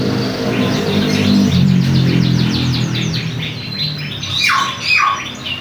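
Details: Juvenile canary learning song, producing a rapid series of sweeping chirps that become a fast trill, then two louder descending whistled notes near the end, against a strong low background rumble.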